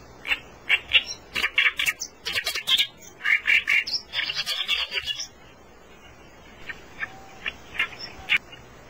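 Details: Oriental reed warbler (Acrocephalus orientalis) song: loud, harsh, grating chatters in quick repeated bursts for five seconds, then a few sparser scratchy notes.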